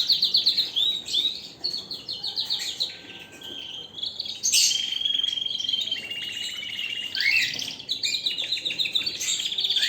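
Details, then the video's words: Canary singing a busy mix of rapid trills, short chirps and slurred whistles, with loud bursts and brief softer stretches between phrases. "اقوى تغريد طائر الكناري"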